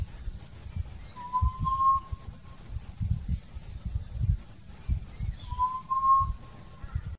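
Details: Hill partridge calling and singing: two drawn-out, clear whistles, each slightly rising and about a second long, spaced roughly four seconds apart, with faint high chirps from other small birds and steady low rumbling noise underneath.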